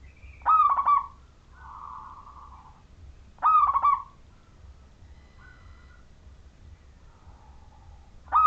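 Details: Majapahit zebra dove of local stock, a keen singer meant to draw other zebra doves into song: repeated bursts of quick, trilled coos about three seconds apart, each followed by a softer, buzzy murmur.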